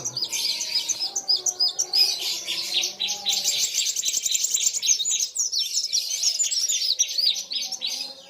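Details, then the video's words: Kolibri wulung sunbirds in a lively song match with a rival: dense, continuous high-pitched chattering and twittering from more than one bird, overlapping fast notes throughout, faint low sounds in the background. "BURUNG KOLIBRI WULUNG NARUNG GACORR KETEMU LAWAN SAMA" GACORR"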